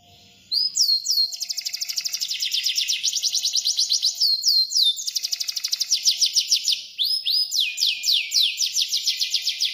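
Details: Energetic canary song after a brief quiet start: long fast trills of rapidly repeated high downslurred notes, broken by short sweeping flourishes, running almost without pause; a faint steady hum in the background.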